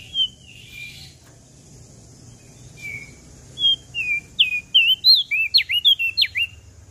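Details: Prenjak daun from Lombok sings energetically: a few spaced whistled notes, then an accelerating string of high slurred whistles, some with sharp downward strokes, above faint low background noise.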